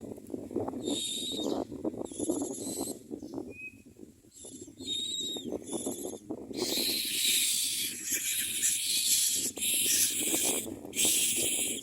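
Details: Common myna at a nest while the adults feed their chicks: soft hissing bursts at first, then loud, harsh, broadband hissing calls in long runs, with low rustling and scraping throughout.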